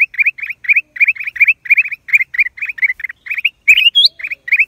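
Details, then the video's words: Black-crested bulbul, April 2023, delivering brisk repeated chirps several per second, with a thin rising whistle-like call breaking in near the end. "เสียงนกปรอดเหลืองหัวจุก นกหัวถ่านใต้ Cang Jambul"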